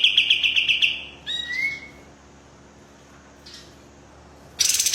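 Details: White-rumped shama song: a rapid stuttering burst of high notes, a drawn-out rising whistle, then quiet before another loud harsh burst at the end.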